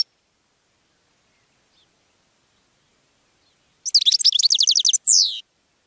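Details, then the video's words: Goldfinch song meant to attract other birds: after a long silence, one rapid series of bright, high twittering notes ending in a drawn-out descending buzzy note. "GOLDFINCH SONG to ATTRACT Other Birds"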